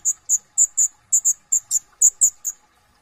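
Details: Kolibri ninja (brown-throated sunbird) singing full isian tembakan in lively ngobra gacor style, with a steady stream of about a dozen piercing high chips, mostly in pairs.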